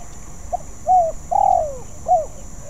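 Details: Young spotted dove still learning its song: four low cooing notes, with a short clipped coo, a longer drawn-out note that slides downward in the middle, then a closing coo.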